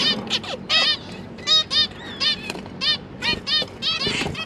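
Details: Caged zebra finches, parents feeding their three young fledglings, 31 October 2022; loud, nasal trumpet-like beeps repeated roughly once or twice a second, some doubled, over a quiet low hum.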